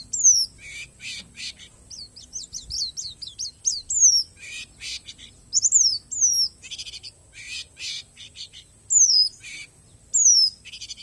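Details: Palas Borneo white-eye giving an 'isian alam' nature-filled song: clear, thin, downslurred whistles repeated at intervals, mixed with quick chirp runs and scratchy bursts.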